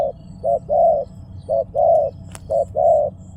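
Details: Spotted dove repeating a two-note coo, a clipped note then a broad, sustained one, three times in quick succession. There is a sharp tap midway and faint high chirps in the background.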